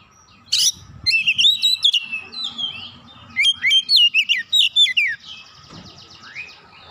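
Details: Oriental magpie-robin in heated full song, beak open: a noisy burst, then two sequences of quick, sharply slurred whistled notes, ending in softer whistles over a faint hum.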